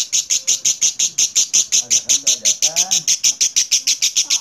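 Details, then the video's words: Clear lovebird ngekek: loud, sharp, evenly spaced high chirps, roughly five per second, sustained throughout, with faint lower warbling sounds in the middle. "Burung Lovebird Ngekek Jernih Pancingan Buat Lovebird Ngekek Panjang"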